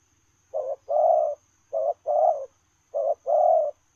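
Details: Spotted dove's 'lèo rồng' style coo given while running: three low, mellow two-part phrases, each a quick note then a longer, rounder coo, spaced about 1.2 seconds apart over near silence.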